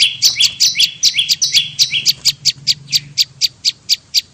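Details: Bar-winged prinia calling as a lure, buzzy stepped notes for about two seconds, then only a regular series of sharp, high ticking chips, with a low hum behind.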